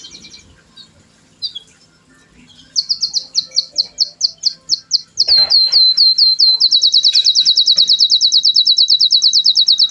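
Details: Canary singing: after a few scattered chirps, a loud run of high, sweeping notes repeats about twice a second, then speeds into a fast, even, rolling trill that holds to the end.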